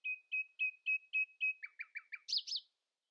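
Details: Dawn song of a common nightingale competing with rivals: six loud, evenly spaced whistled notes, then four quicker lower notes and two rich slurred high notes at the end.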